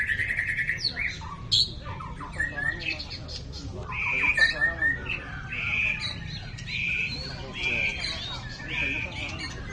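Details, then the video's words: White-rumped shama, a champion of all competition classes, pouring out repeated whistled phrases and harsh squawky notes in a busy, continuous sequence, with faint voices in the background. "Burung Kecil, Suara Sadis! Ini Dia Murai Batu Jawara Semua Kelas"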